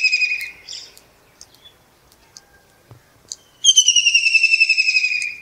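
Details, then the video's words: Kingfisher singing from a perch in early morning in Pakistan: a shrill, high whistle sliding downward, then a fast rattling trill of about fifteen quick notes slowly falling in pitch. "Amazing Kingfisher bird song"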